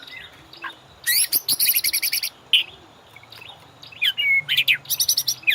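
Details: White-rumped shama song for training caged birds: bursts of very high, dense chattering trills broken by pauses, with a few single whistled notes.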